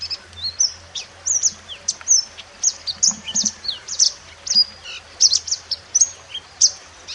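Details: Mountain white-eye in the wild, used as a master song for training other birds: rapid high thin chirps and short whistled slurs, irregular bursts about every half second, against a low steady hum.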